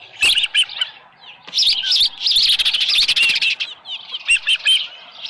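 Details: Osprey at the nest around 6:52 in the morning, July 24, 2018, with a headless fish: scattered piercing chirps building into a fast, continuous chatter of high whistles, then tapering.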